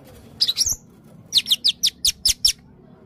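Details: Blue-crowned hanging parrot, known as red-necked serindit, in varied full song: a twittering double chirp, then seven thin, high, downslurred chirps repeated about every fifth of a second over a quiet background.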